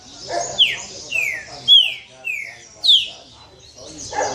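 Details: Angry pixarro, a saltator kept by a Sorocaba, São Paulo breeder, rasping and snapping: a series of five sharp, bright whistles sliding steeply downward, each about half a second apart, over faint low background noise.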